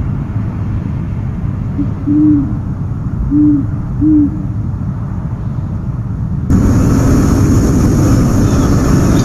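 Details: Owl captured by a nest camera at 1:44 pm on 13 January 2015; three low, rounded hoots spaced about a second apart, followed by a sudden loud broadband hiss and rumble to the end.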